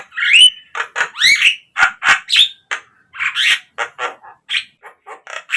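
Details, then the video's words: Javan myna song used to coax caged birds into singing: varied, rapid phrases of raspy chatter, squeaks and sharp upslurred whistles, delivered in a busy, uneven stream. "pancingan untuk naikanJALAK KEBO biar cepat GACOR"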